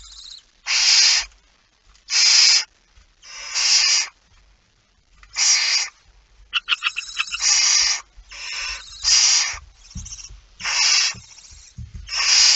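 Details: Barn owl at the nest, feeding, 19 September 2019 at 05:28: a run of about nine rough hissing screeches, roughly one every 1.3 seconds, some overlapping with crackly rustles and low knocks.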